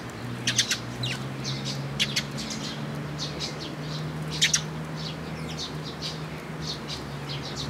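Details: Sparrows gathering at a post for food at a Tenmangu shrine, June 8 2022; bright clipped chirps come in small clusters every second or so above a steady low hum.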